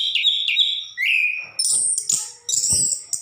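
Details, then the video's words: An orange-headed thrush gives two short whistled notes, then a longer rising whistle, followed by high, thin, buzzy trills with faint rustling underneath. "Burung Anis kembang gacor"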